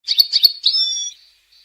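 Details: European goldfinch singing: a quick run of high twittering chirps, then a drawn-out, thin whistled note that fades. The recording is clean, with no other sounds.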